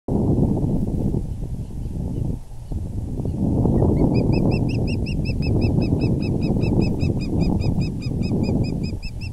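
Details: Osprey at its nest on April 6, 2020, around 6:30 pm, as the male brings in a big fish; after four seconds of rumbling wind a rapid run of sharp, high chirps begins, about four per second, continuing to the end.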